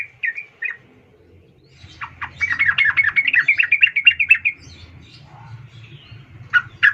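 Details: Sooty-headed bulbul, a female calling a male, used as a lure to make males sing; a burst of rapid chattering notes around the middle, with brief isolated chirps at start and end over a low background hum.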